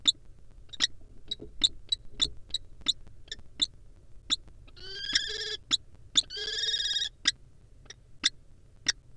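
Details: Common kestrels, wild, courting in a barn owl nest box: scattered sharp high ticking notes, then two buzzy, harmonic whining trills about a second long, followed by more spaced single clicks.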